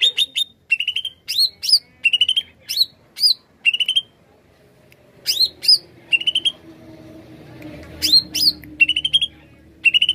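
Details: Greater green leafbird in lively song, used as a lure for wild birds: bursts of short bright whistled notes and rapid trills alternating with sharp rising upslurred whistles, in phrases under a second long separated by brief pauses, with quiet background.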